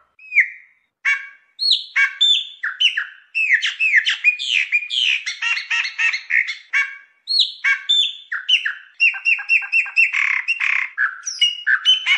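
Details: Chopi blackbird (Gnorimopsar chopi), entirely black bird, song: a loud, fast run of liquid whistles, chattering notes and sharp chirps in near-continuous phrases; females also sing.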